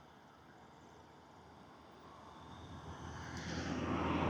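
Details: Low engine drone that swells steadily louder toward the end, like an approaching vehicle or aircraft, with no animal sound.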